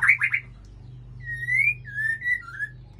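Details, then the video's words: Male White-rumped shama singing with a female at Ujong Pancu, Aceh: opening burst of rapid notes, then long clear whistles sliding upward and a few shorter whistled phrases, over a steady low hum. "Murai Aceh + Betina"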